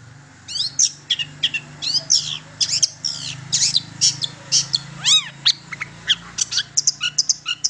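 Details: Lure recording of a long-tailed shrike aimed at getting other shrikes to sing: a steady run of high, sharp notes and arched whistles against a low background hum.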